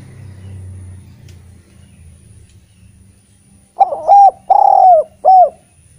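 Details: Eurasian collared dove singing in a lure recording used to spur reluctant spotted doves to sing: a quiet low hum, then three mellow hooting coos in quick succession, the middle one longest.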